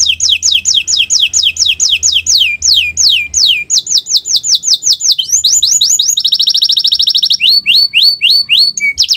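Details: Atlantic canary song from a master recording meant to get birds singing: rapid tours of repeated downslurred whistles, each tour at a steady pace, then a buzzy trill and more sweeping notes near the end.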